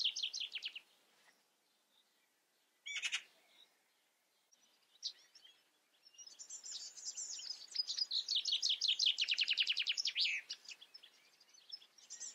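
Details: Common chaffinch: a short song fragment at the start and a sharp burst, then after six seconds a long full song of quick repeated bright notes, accelerating and descending before trailing off.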